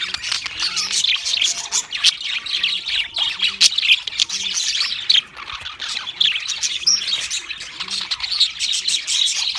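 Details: Several pet budgerigars warble and squawk together in a steady, scratchy high chatter, dotted with sharp chirps, while soft low pulses repeat roughly every second in the background.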